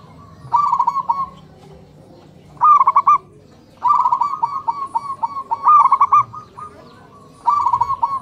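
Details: Morning chorus of local zebra doves, males and females calling back and forth: bursts of rapid, trilled coos roughly every two seconds, one longer phrase trailing into spaced notes, over quiet low background noise.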